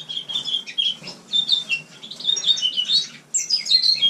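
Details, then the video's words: House finch kept indoors, recorded in winter in a shared room, giving a quick, high, twittering warble of short chirps and slurs, pausing briefly before a final rising burst of notes. "Пение мексиканской чечевицы"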